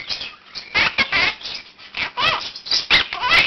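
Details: Year-old pet Quaker parakeet indoors at 7 am, giving its morning wake-up call and practising learned words and phrases. Bursts of harsh, raspy chatter and speech-like squawks, with other caged birds in the room joining in.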